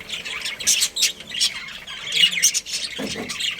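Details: Budgerigars in a family colony keep up bright, scratchy chirps and brief squawks, several birds calling over one another in dense high chatter.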